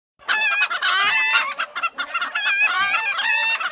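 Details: Roosters crowing one over another: loud, harsh, strongly harmonic cock-a-doodle-doo calls overlap and follow each other with hardly a break, making a rowdy chorus.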